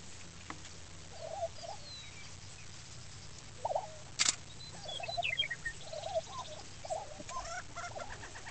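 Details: Male lesser prairie-chicken displaying on a lek near Woodward, Oklahoma: soft, low, hollow bubbling notes in short scattered bursts, one sharp loud click near the middle, faint high chatter from other birds, and a steady low background hum.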